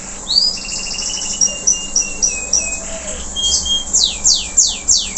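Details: Local canary, post-moult, in strong song: a steady run of level whistled notes and a trill lead to a brief held tone, then loud downward-sweeping notes repeated about every third of a second.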